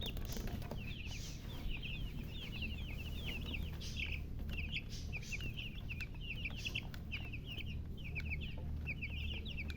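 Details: Chicken chicks peeping continuously in short, high, descending notes, several per second, layered over a heavy low hum and background noise.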